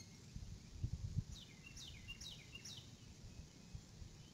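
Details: Adult female eagle calling out on arriving at the nest, 6 April 2018 at 6:43 PM, live nest camera; four quick, shrill, downward-slurred piping notes in a row, with low background rumble and a few soft thumps.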